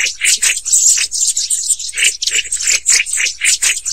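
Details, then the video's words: Black-throated Tits (Aegithalos concinnus) give a rapid stream of high, thin, slightly buzzy calls, about three or four a second, with a faint low hum underneath. "紅頭山雀(紅頭長尾山雀)/Black-throated Tit"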